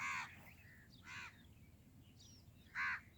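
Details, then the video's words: Black francolin gives three harsh, grating notes, widely and irregularly spaced, each short and rasping, over a steady low background hum. "کالا تیتر کی آواز"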